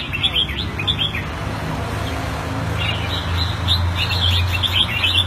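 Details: Red-whiskered bulbul caged in Singapore, kept Thai style, 2018: brief clusters of bright chirping phrases at the start and end, with a strong low droning hum running through the whole recording.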